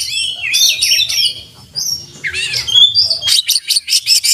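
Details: Oriental magpie-robin in energetic song full of mimicked fill-ins: warbled whistled phrases, a clear sliding whistle, then a steady series of rapid sharp chips repeated in quick succession.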